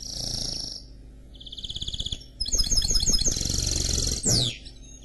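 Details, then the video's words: Song of a canary and goldfinch hybrid mule: a high trill, a short pulsed trill, then a dense run of fast chirps ending in a steep descending sweep, with low background hum. "Chant Mulet Canari X Chardonneret"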